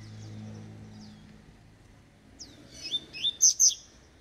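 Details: Double-collared seedeater aged eight months, tui tui (vibro) style: after a faint low hum fades, a quick sequence of sharp, high chirps builds to loud, bright notes at the close.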